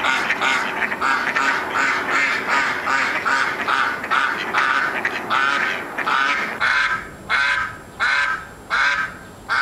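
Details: A semi-tame mallard that visits a neighbourhood after being fed, acting as a quacking alarm clock, gives loud, harsh, nasal quacks in a rapid run slowing into spaced single quacks.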